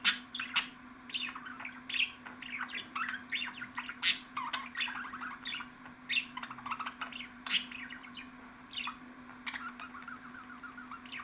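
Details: Lively budgerigar twittering meant to excite a pet budgie: crowded warbles, squeaks and sudden sharp clicks, fairly loud at the start, with a low constant hum.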